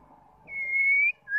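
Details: Female white-rumped shama calling to stir males into song, giving one drawn-out, level whistle that breaks off and is followed by the start of a second rising whistle over faint background hum.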